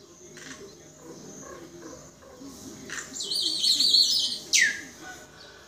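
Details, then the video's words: A common myna gives a harsh, hissing burst of about a second and then a sharp whistled note that slides downward, over a low background murmur. "Chim Sáo Nâu"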